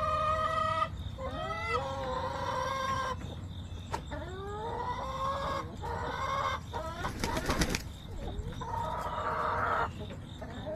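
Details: Backyard chickens on September 20, 2024: loud, drawn-out harmonic clucks and squawks, several sliding upward in pitch, one after another, with a short scratchy rattle near the middle and a steady high hum behind.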